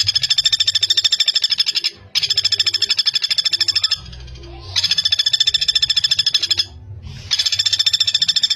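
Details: Common flameback training recording for young songbirds, fast and dense: four bursts of high, machine-gun-like rattling, each a few seconds long, separated by short breaks.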